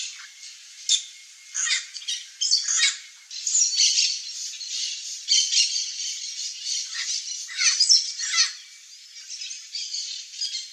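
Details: Chestnut-eared aracari eating tropical fruits in Mato Grosso do Sul, Brazil, giving harsh, hissy squawks in irregular bursts, some run together, some single, over a faint steady high hiss.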